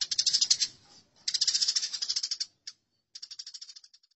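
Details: Burung gereja (Eurasian tree sparrow) in a fight, recorded as a masteran training track: rapid, harsh chattering bursts of high notes, two long runs then a short sputter and a final quicker series of clicks.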